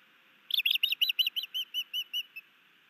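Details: Osprey pair at a nest camera in Missoula, Montana, 11 May 2019, as a new male brings his mate a fish: one run of about twelve high whistled chirps, quick at first, then slowing and fading.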